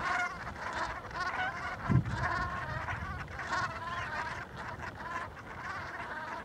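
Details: Hundreds of pink-footed geese in a snowy field on Norfolk coastal marshland between Brancaster and Wells-next-the-Sea, 6 February 2012, winter, wind rising, lapwings also about: a continuous chorus of nasal honks and higher yelping notes, with a brief low thump.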